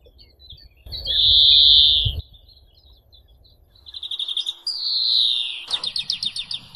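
European greenfinch song: a long, nasal, wheezy 'dzweee' held over a second, then quick twittering notes, a second drawn-out wheeze and a fast rattling trill.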